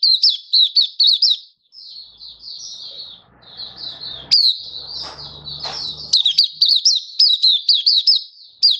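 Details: Malaysian white-eye (mata puteh) singing happily in open song in Singapore on 20 March 2023, stable warm sunny weather; rapid high twittering phrases of sharp down-slurred chirps, a softer warbled stretch with faint low background rumble midway.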